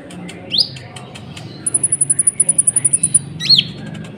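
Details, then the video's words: Sunbird, known as konin or kolibri ninja, in full song meant to rouse other birds. Two sharp upslurred whistles frame a long, very high, evenly pulsed trill of about fifteen beats. "PANCINGAN KONIN GACOR, AMPUH BUAT MENAIKAN EMOSI BURUNG"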